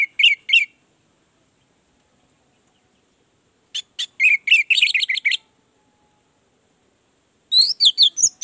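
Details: Orange-headed thrush song meant to stimulate a bird that will not sing. Short bursts of quick, varied chirping notes separated by long silent gaps.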